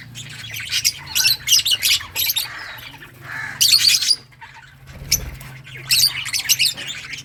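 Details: Lovebirds of all colours giving harsh high squawks in short bursts separated by brief pauses, with a low thump partway through.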